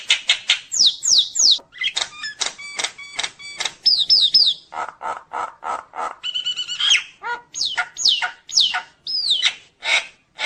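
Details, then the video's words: Nias hill myna in full, varied song, used to provoke other mynas: a fast stream of sharp whistles, buzzy bursts, falling slurred notes and rapid clicks, shifting between high and middle pitches, with brief pauses between phrases. "jalak nias gacor full isian bikin jalak lain emosi"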